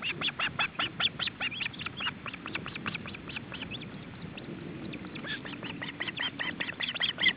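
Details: Male osprey and chicks at the nest in July 2012 while he tries to feed them: almost continuous sharp, high whistled calls in fast, uneven series throughout, with a faint low hum beneath.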